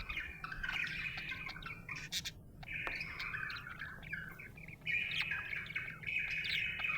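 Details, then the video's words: Happy budgerigar chirping: a steady run of warbled, chattering notes with brief squeaky trills, pausing around the middle before resuming, over a low background hum. "Happy budgie chirping sound"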